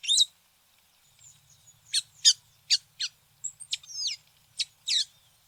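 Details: Tanager giving sparse, sharp high chips and a short slurred whistle, with a faint low hum underneath.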